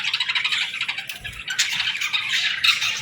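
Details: Baby budgerigars calling for food: dense, harsh, buzzy chirping and squawks packed between mid and high pitch, overlapping continuously from several young birds with small rises and falls in loudness.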